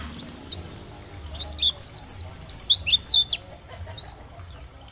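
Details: Oriental white-eye of the dakbal type singing to stimulate other white-eyes to respond: an irregular, lively stream of high, thin, downslurred chirps and twitters, bunched in the middle and thinning out toward the end.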